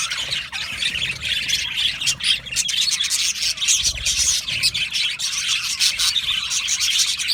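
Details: Colony of Australian budgerigars in an aviary, many birds singing and chirping at once: a dense, continuous chatter of scratchy warbles, squawks and sharp chirps with no pauses, steady in loudness throughout.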